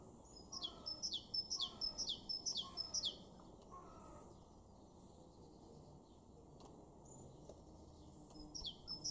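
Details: Great tit song from a garden in Weener, East Frisia, in Germany's far northwest, April 2023: about six bright, high see-sawing phrases in quick succession, a long quiet stretch, then the phrase resumes.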